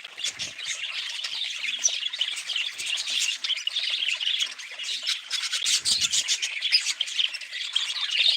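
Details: Raspy, high budgerigar chatter with clicking chirps and squawky warbles in a continuous flow, joined by a faint low rumble near the middle.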